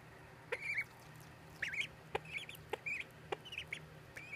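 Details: Ducklings peeping: high, thin peeps, some with a quick downward inflection, about ten in a few seconds at an uneven pace, over a quiet low hum.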